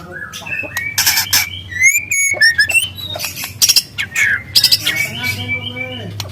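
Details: Wild juvenile white-rumped shama in varied song with canary-style phrasing: scattered sharp chips, rising and falling whistles and brief buzzy notes over a steady low hum.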